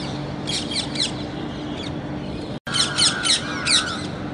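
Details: Raspy parrot squawks in short irregular clusters, broken by a brief cut, with a thin whistled note sliding down near the end and constant low hum behind.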